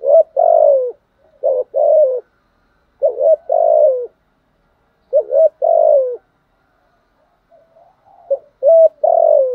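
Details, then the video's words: Spotted dove cooing, used to stimulate wild doves and train decoy birds into answering. Four phrases over ten seconds, each opening with one or two short clipped notes, then a longer mellow falling coo. A brief softer murmur comes between phrases. "Tiếng chim cu gáy dùng kích bổi và tập mồi bài bản/ thúc gù, gáy gọi/ kích thích bổi nghe gáy theo"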